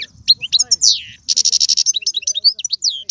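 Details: European goldfinch, Algerian and caged, in tiouatie, galoubi and serfati song styles: swooping whistles and falling slurs, then a fast buzzy trill and scattered twittering notes, with faint low murmuring at the start.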